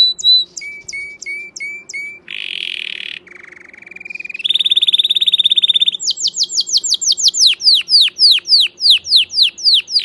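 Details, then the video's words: Canary song in changing tours: spaced high clicks, then a harsh buzzy phrase, a rising whine, a rapid rattling trill, and finally a run of loud downward-swooping whistles repeated quickly. "أعلى صوت كناري"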